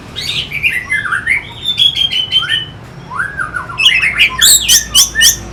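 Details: Orange-headed thrush singing as a lure to stimulate fighter birds; slurred whistled phrases rise and fall, then quicken into clusters of sharp, high, clipped notes near the end.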